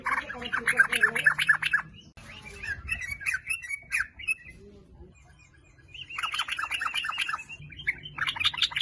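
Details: Chattering sooty-headed bulbul song used as a singing lure: an opening rapid bubbly burst, a softer run of scattered notes, a quiet pause, then another lively, dense burst of twittering.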